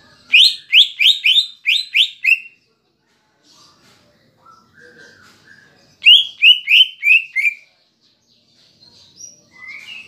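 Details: Lure song of a greater green leafbird with Kapas Tembak filler, meant to stir a caged bird: two bursts of five or six sharp, descending high notes, separated by quiet low whistles and faint chirps.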